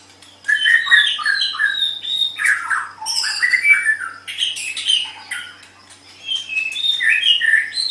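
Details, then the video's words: White-rumped shama singing as a master recording for songbird training: long varied stream of warbles, whistles and harsh squawky notes in bursts, with brief pauses and shifting pitch throughout. "SUARA MASTERAN - Ocehan Burung Murai Batu"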